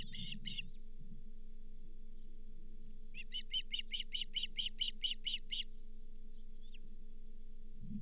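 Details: An osprey at the Charlo nest calls as a lake whitefish, the fifth fish of the day, is brought in on 31 July 2023. A short chirp pair, then a long even run of about a dozen piercing whistled chirps, with a constant low hum.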